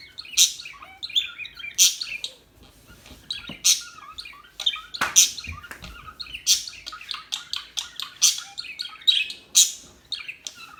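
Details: Small birds chirping steadily, sharp high tweets and trills in clustered bursts every second or so, with a few soft low thumps in the background.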